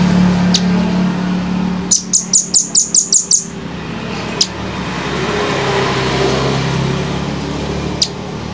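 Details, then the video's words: Velvet-fronted nuthatch with a rapid run of seven high, sharp chips, then a few isolated single chips, heard indoors against a steady low hum and room noise. "masteran jernih rambatan paruh merah"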